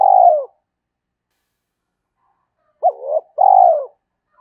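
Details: Spotted dove giving a fast lure call meant to draw wild doves in: a low falling coo, a pause of over two seconds, then a short hooked note and a longer, deep, downward-sliding coo.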